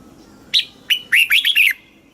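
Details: One southern master-style phrase from a caged red-whiskered bulbul in Thailand, used to excite caged birds and teach chicks: an opening whistle, a short note, then a fast run of three falling, slurred whistles.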